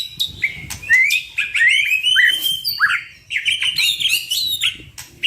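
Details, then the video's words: Two white-rumped shamas singing continuously in full varied song, a rich stream of whistled, slurred and rising-falling notes mixed with quick trills and chatters, loud and close, used as a training master song. "Duo GACOR !! Burung MURAI BATU Full isian MASTERAN PANCINGAN"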